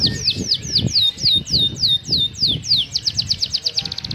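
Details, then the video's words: Atlantic canary in busy 'gacor' song with fancy 'cengkok mewah' phrasing: clear, high, down-sweeping whistles about three per second, then a quick, tight trill at the end, with low murmuring noise beneath. "Suara Burung Kenari Gacor cengkok mewah"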